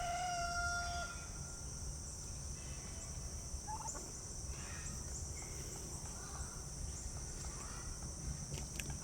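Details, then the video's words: A pet peahen near a feeder gives a brief, harsh, nasal alarm note at rabbits feeding there, then softer clucking calls, over a steady low rumble of wind. "Peahen doesn't want rabbits by the feed. Does her alarm call"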